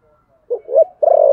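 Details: Spotted dove giving a fighting coo in the thổ sấm style: a soft low lead-in note, then two short mellow hoots and a longer, louder sustained coo that is cut off at the end.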